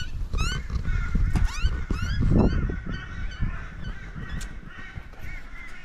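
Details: Crow chick taking food from a parent in an Australian backyard. Its nasal calls are rapid and insistent, some rising and some falling, broken by broadband bursts and steady low background rumble.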